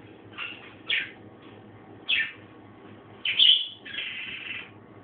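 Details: A pet budgerigar gives harsh, scratchy chirps in quick separate bursts, ending in a longer raspy chatter.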